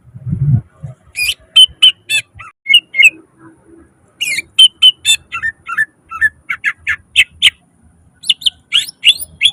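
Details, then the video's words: Greater green leafbird (cucak ijo) singing gacor, full of isian mimicry and nembak bursts. After a low thud, rapid high chirps and whistled notes pour out in fast, irregular runs of varied syllables. "Suara cucak ijo gacor full nembak isian"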